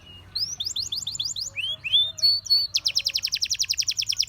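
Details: Canary singing: a short high note, then a run of rising slurred whistles, a few downslurred notes, and finally a fast, even trill of bright repeated notes; faint low hum underneath.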